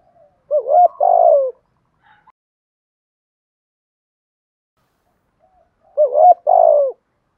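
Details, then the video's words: Spotted dove coo recording of male and female birds, used to stimulate and train other doves to call; two separate low, rolling coo phrases, each a short hooked note then a longer, falling coo, with silence between them. "chim cu gáy giọng thổ thúc gù bài bản, giọng gáy gây ức chế cao"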